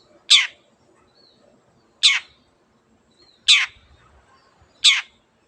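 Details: Harsh rasping notes of a Long-tailed Shrike (cendet), four in under six seconds at uneven spacing, each a brief grating burst, over a near-silent background; said to set quiet birds singing.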